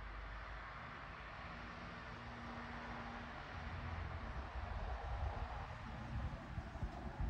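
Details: Low rumbling vehicle traffic with a brief steady engine hum dominates, growing slightly louder toward the end, and no animal sound stands out.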